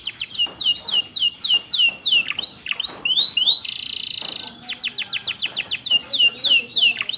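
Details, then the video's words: Training song of a canary for caged birds, with ciblek and prenjak inserts: brisk sweeping whistles falling in pitch, curling upslurs, a harsh buzzy rattle near the middle, then rapid descending notes again. "MASTERAN KENARI ISIAN CIBLEK PRENJAK MEWAH"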